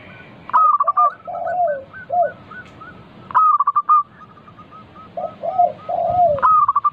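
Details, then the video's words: Lure song of a local zebra dove, meant to make other doves answer: loud choppy opening notes followed by a fading run of short hooked coos and deeper slurred coos, given twice. "Pancingan burung perkutut lokal gacor - 100% bikin cepat bunyi langsung nyaut manggung"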